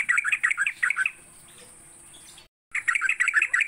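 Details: Sooty-headed bulbul during a morning session meant to get kept birds singing: a jumbled burst of warbling whistles, a long quiet stretch with a brief dropout, then more rapid notes.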